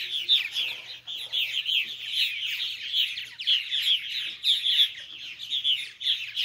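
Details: Baby purple martins fed by adult males and females before bedtime, giving a steady wash of scratchy high chirps that swell in bursts roughly every half second, several young calling at once.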